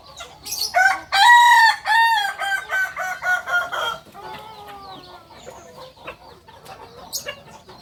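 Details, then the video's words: Crowing Kukuak Balenggek rooster, original stock from Solok, West Sumatra: a long multi-syllable crow of about eight rhythmic notes over three seconds, tapering into softer trailing syllables, followed by faint background noise. "Ayam kukuak balenggek asli solok sumbar"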